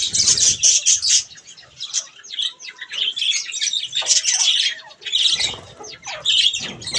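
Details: Bathing pet budgerigars: loud bursts of rapid scratchy chirps and squeaky warbles, several overlapping voices, dropping briefly quieter before rising again.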